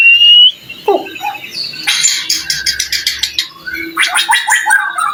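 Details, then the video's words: Song of a white-rumped shama meant to goad rival shamas into singing back: a rising whistle, then bursts of harsh, rattling, broadband notes in quick series, with quieter gaps between. "Suara murai batu gacor AMPUH buat pancingan murai batu agar emosi LANGSUNG NYAUT"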